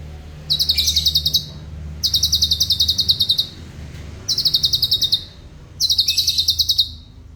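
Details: Black-crested bulbul singing as a tutor for cage birds: four fast trills of crisp repeated high notes, each lasting about a second, separated by brief pauses, over a faint low background hum.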